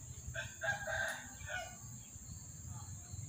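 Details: A white rooster crows once: a hoarse, harmonic-rich cry lasting about a second and a half, rising then trailing off, over a steady high-pitched hiss and low background rumble.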